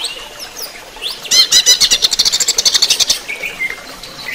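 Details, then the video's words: Greater green leafbird during running-water therapy: a few thin whistled slurs, then a loud two-second run of quick, evenly repeated buzzy notes that fades into soft whistles. "terapi air mengalir untuk cucak ijo"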